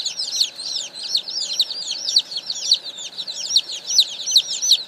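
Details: Chorus of a hundred young chicks newly delivered in the morning, high piercing peeps overlapping constantly, a few louder individual chirps standing out roughly every half second.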